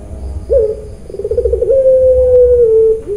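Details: Puter pelung dove, farm-bred in Kroya, Cilacap, Central Java, coos loudly: an abrupt rising note, a quick pulsing trill, then a long smooth level tone gently falling before a final short coo.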